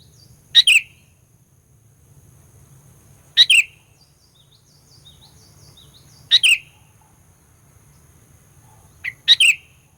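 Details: Sooty-headed bulbul lure song for provoking rivals: four loud phrases, each a sharp note plus a slurred descending chirp, spaced roughly three seconds apart, the last with an extra lead-in note; faint high twitters of other birds between them.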